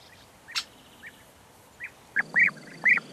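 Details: European bee-eater: a few scattered soft rolling notes and a brief click, then three loud, close, burry rolled calls in quick succession.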